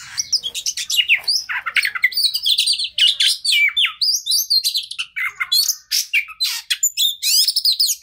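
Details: Oriental magpie-robin singing nonstop as a lure to make a stressed bird respond: quick, varied high whistles, slurred notes and chattering trills, densely packed over eight seconds.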